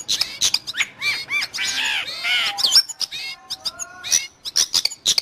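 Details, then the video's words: Song of a long-tailed shrike, suited to training cage birds or luring wild ones: varied whistled slurs, harsh chatter and a few level piping notes, in quick irregular bursts. "Suara burung Cendet / pentet"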